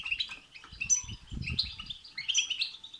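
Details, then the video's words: European goldfinch in betbeta and setseta song, meant to excite another goldfinch into singing: quick chattering twitters and short buzzy trills at high pitch, overlaid by soft low knocking or handling thuds in the first half. "بتبتة وستستة تخرج الحسون عن السيطره..... هيجان خرااافي تسببه هذه البتبتة نار على نار سيغرد حسونك"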